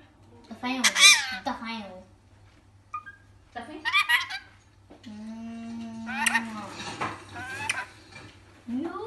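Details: Pet rainbow lorikeet talking indoors: bursts of scratchy, speech-like syllables and a long level nasal tone. Dishes and cutlery clatter nearby.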